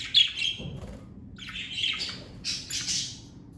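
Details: A pet budgerigar from a parakeet family chirps in bright, warbling bursts, opening with a sharp high note and then two longer chattering phrases that rise a little higher toward the end.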